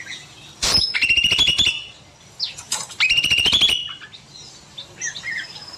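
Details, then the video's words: Cucak mini bulbul singing persistently in an aviary in the evening, with two bursts of rapid, buzzy rattling trill about two seconds apart, each opening with a sharp high note, and light chirping behind. "Burung Cucak Mini Gacor Panjang"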